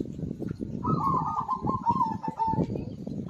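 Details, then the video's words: Zebra dove song, used to coax silent birds into singing: one trilled, rolling coo phrase near mid pitch lasting under two seconds, over a steady rumbling, clattering background noise. "PERKUTUT GACOR AMPUH UNTUK PANCINGAN SUARA BURUNG MACET BUNYI"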